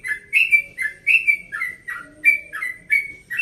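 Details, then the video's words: Rapid 'ropel' song of a yellow-vented bulbul from Bekasi, aged 1.5 years, recorded in the early morning: loud, mellow whistled notes with upward and downward slurs, delivered in a steady string about every half second. "Trucukan Ropel Pagi Subuh Nada Santai"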